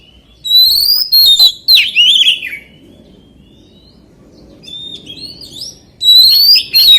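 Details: Forest-voice song of an oriental magpie-robin: loud, rich whistled phrases with sharp slurred notes, a pause of about three seconds, then a fresh ringing burst.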